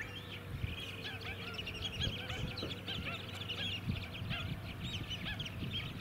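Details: White-headed Stilt flock recorded at Scarborough, Queensland, July 2017, on mudflats: steady overlapping nasal yelps with a faint thin whine and occasional thumps and engine noise low in the background.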